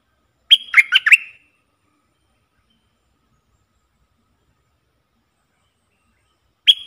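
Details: Red-whiskered bulbul used as a decoy to lure wild birds, dated 23/07/64: a quick burst of three or four chirpy, slurred whistled notes, then a long silence before another phrase begins at the very end.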